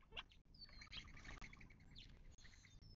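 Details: Desert birds at a Mojave Desert watering hole in southern California, near Joshua Tree National Park, March 19, 2024. A busy chorus of quick twittering notes with a long, thin high whistle running across it, over steady low background noise.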